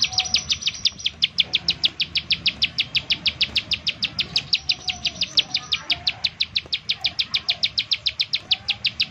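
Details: Steady, fast series of piercing high notes from a bar-winged prinia in 'nembak' style, a call used to lure other prinias into song; nearly fifty notes run without pause, backed by faint low noise.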